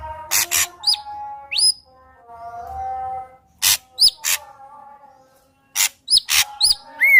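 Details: Ashy drongo in lively song, used as a lure to get another ashy drongo singing: harsh broadband bursts alternate with sharp upslurred whistles, delivered in clusters separated by pauses, over a faint steady background hum.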